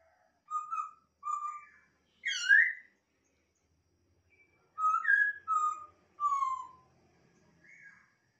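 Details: Masked laughingthrush from a captive breeding setting: clear whistled notes, some slurred upward or downward, given in short bursts with pauses, including one louder rising-falling whistle; quiet background.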